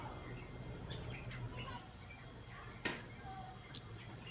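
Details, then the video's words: Wild kemade, or flowerpecker, singing vigorously as a lure for other birds: a scatter of very high, thin, sharp notes in quick irregular succession, with a few louder clicks and faint hiss behind. "PANCINGAN KEMADE BAHAN AGAR BUNYI || KEMADE/CABE CABEAN GACOR NGALAS WUCIT WUCIT"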